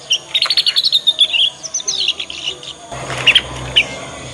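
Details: Young Yorkshire canary learning the ngriwik sound, a lure to get other canaries singing along. A fast continuous twitter of bright repeated chirps runs for about two seconds, then sparser notes follow over louder background noise.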